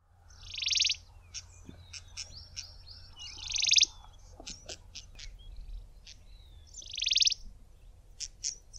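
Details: Grey-backed cisticola calling in fynbos shrubland: three loud buzzy rasping bursts roughly three seconds apart, with thin high ticks and short whistled notes between them and a low steady rumble underneath.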